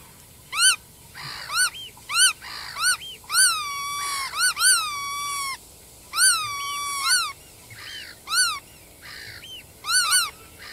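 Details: Black-tailed godwit calling busily, mixing short arched nasal notes with longer, drawn-out wavering calls that rise and flatten, many in quick succession.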